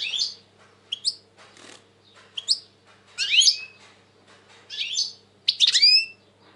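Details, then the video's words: European goldfinch, described as very tense these days, in 2020: short bright twittering phrases of rising and falling chirps, spaced about every one to one and a half seconds with quiet gaps, in a quiet indoor setting. "Saka kuşu ötüm"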